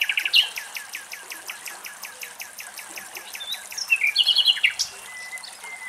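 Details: Common Nightingale singing in Greek countryside, a fast run of clear sharply dropping notes about four a second, then a bright rapid trill; faint background hiss.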